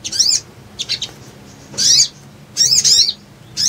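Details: Sogon, the little spiderhunter, singing as a trapping lure for leafbirds: short, high, scratchy chirp bursts about once a second, separated by brief quiet gaps.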